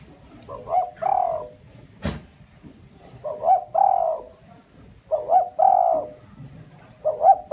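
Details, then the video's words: Spotted dove used as a lure bird for trapping, giving a loud, steady coo phrase: two short rising notes then a long, drawn-out hooting coo, repeated about every two and a half seconds, with a sharp knock heard once. "Chim cu gáy , tiếng chim cu gáy mồi chuẩn cực hay kích bổi"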